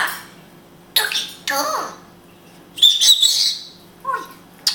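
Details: Israeli pet grey parrot speaking Hebrew indoors: a few short, harsh, speech-like bursts, one with sliding harmonic bands, separated by quiet gaps, with a steady low hum in the background.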